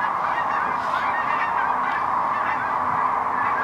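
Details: Distant flock of cranes putting on a show as they land near Wood River in early March: a thick, unbroken roar of countless overlapping calls, steady in loudness throughout.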